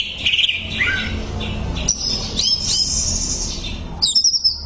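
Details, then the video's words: Greater green leafbird song used as a training recording: high whistled and slurred notes, then a burst of sharp piping notes near the end, over a low background hum. "MASTERAN CUCAK IJO SANGAT MAHIR UNTUK TERAPI"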